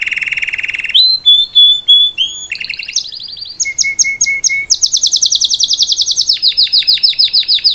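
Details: Singing salsa canary tutoring a young bird: low buzzy roll, then clear whistled slides, pulsed notes over a low tone, and fast bright trills of repeated descending notes.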